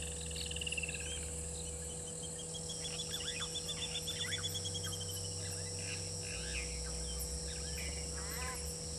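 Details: Woodland kingfisher perched on a fallen tree by Gowrie dam waterhole, Djuma Game Reserve, Sabi Sand, South Africa, at 18:39 on 19 November 2022; a brief pulsed burst, then a long rapid high trill, over steady insect drone and scattered other calls.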